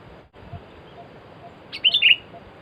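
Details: During a bird-luring outing in which two sooty-headed bulbuls were caught, one bird gives a quiet pause and then a lively burst: a sharp upward note leading into two loud, warbled, fluttering notes.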